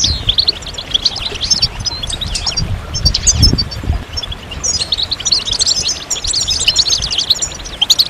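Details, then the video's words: Goldfinch singing in long runs of bright, fast twittering, with buzzy trills and sharp upward flicks. The phrases break briefly near the middle, and a soft low background noise sits beneath. "Magical Goldfinch Songs"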